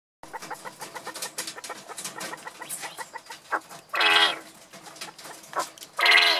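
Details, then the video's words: Mature male Coturnix quail from a January 2021 hatch, a caged breeding bird upset at being taken from his hens, calls out and is answered by another male: short harsh chattering notes, then two loud, raspy bursts near the end. "Male Quail calls out"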